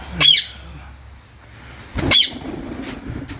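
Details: Indian ringneck parakeets, blue, green and grey, in a garden aviary in England in winter give two harsh, high squawks about two seconds apart, with faint background rumble.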